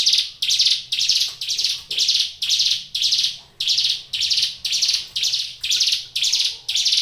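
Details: Captive Hill Prinia in lively song, delivering a regular run of scratchy, high buzzing notes at about two per second, with no other sounds.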